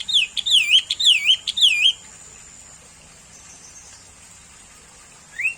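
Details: Sooty-headed bulbul, a bird commonly met nearby, singing a fast run of wavering, looping whistled notes for about two seconds, then silence and one last rising note, with a constant high drone behind.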